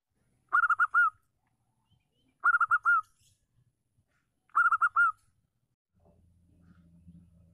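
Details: Female local zebra dove, strong caller meant to stimulate silent males to sing: three cooing phrases every two seconds, rapid clipped notes ending in a held coo, then a low steady hum begins.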